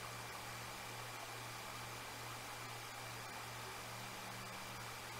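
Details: Steady broadband hiss fills the whole stretch, with a constant low electrical hum and faint mechanical droning underneath; no calls or other animal sounds stand out.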